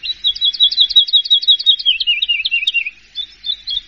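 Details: First-place contest Horsfield's bush lark in song, a rapid chain of chirped whistles that steps lower midway, then resumes higher after a short pause.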